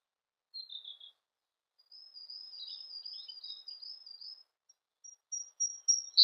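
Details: Siberian blue robin: a short high warble, a pause, then a long thin squeaky twittering passage, then spaced single high notes building in loudness toward the end.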